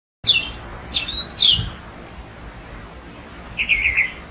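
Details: One of a pair of wild orange-headed thrushes sings three quick bright whistled phrases sliding downward, a pause, then a short run of rapid, slightly lower notes over a faint steady hiss.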